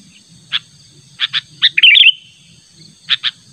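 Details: Natural call of a sooty-headed bulbul summoning a rival: scattered short chirps in pairs around a quick tumbling warble in the middle, with a constant high-pitched whine and soft low murmur behind.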